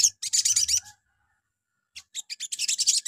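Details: Dense bright chattering from a sogon in a morning lure recording meant to get other sogon singing, with two bursts separated by about a second of quiet.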